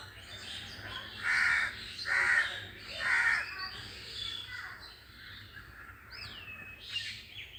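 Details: Crows make harsh grating caws, three loud ones about a second apart followed by softer calls, with a small bird's brief whistled chirp near the end; other birds said to go silent after the crows call.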